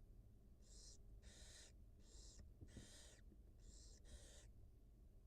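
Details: At a wild barn owl nest, the mother feeds two newly hatched nestlings on a live cam; six rapid, breathy screechy hisses in quick succession, the last two almost joined, over a background hum.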